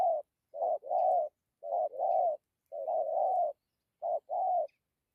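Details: Loud spotted dove coos in the thổ, dặm and gù styles: a brief opening note running straight into a long rolling coo, four phrases spaced roughly a second apart, with faint high chirps behind.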